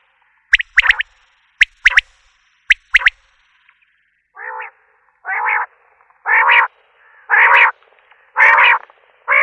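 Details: Common quail (Coturnix coturnix) gives three crisp triplets of short sharp notes, followed by a run of longer, lower, buzzy harmonic notes, each about half a second, rising in loudness.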